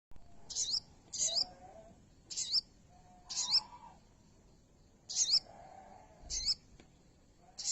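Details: Pin-striped tit-babbler, a bird being tamed that has begun singing after one day: short, bright high chirpy bursts repeated irregularly about every second or so, with a faint low hum beneath.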